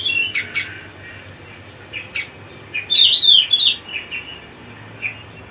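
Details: Cucak rumbai song: a loud, bright warbled phrase of quick rising and falling whistled notes near the middle, preceded and followed by brief chirps, over steady background hiss.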